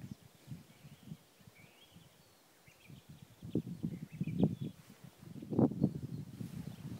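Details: Eastern Ore Mountains, 3 April 2016: black grouse picked up through a spotting scope with an iPhone 4, its low gurgling bubbling starting quietly, then swelling into louder rolling bursts. Faint chirps of other birds sound above.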